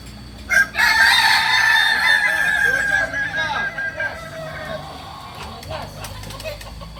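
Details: Kokok Balenggek roosters at a joint crowing practice in Amko, Solok city; a loud, broad crow starts near one second and trails off in shorter syllables, with scattered clicks and a quiet end.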